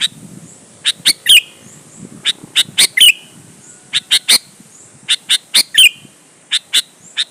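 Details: Energetic Sooty-headed bulbul singing to provoke rival bulbuls into answering: bursts of two to four crisp, high chirps repeated irregularly over seven seconds, several bursts finishing in a short downslurred whistle, against a low background hiss.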